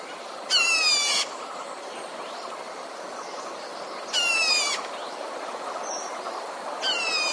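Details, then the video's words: Caged red-whiskered bulbul used as a decoy bird to lure wild bulbuls into traps, giving three harsh, buzzy, rich-toned calls of under a second each, spaced about three seconds apart, over a steady background hiss. "Tiếng chim chào mào mồi"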